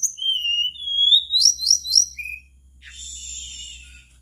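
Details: A mangrove blue flycatcher in full voice, played to get other birds singing along: a long whistled phrase climbing stepwise in pitch with three looping notes, a short lower whistle, then a softer buzzy, rasping passage.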